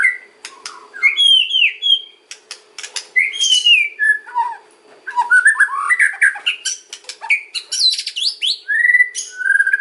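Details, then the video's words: White-rumped shama song used to lure other birds: bright whistled slurs mixed with dry rattling clicks, varied phrases in bursts with brief pauses, ending on a clear held whistle, faint hum beneath. "KRETEKAN & OCEAN MURAI || MEMANCING BURUNG MURAI APAPUN LANGSUNG NYAUT"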